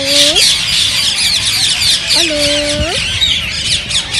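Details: Rose-ringed parakeets, green form, their calls said to spur mating and song. High scratchy flock chatter runs throughout, with two lower, level, nasal tones that turn sharply upward at their ends.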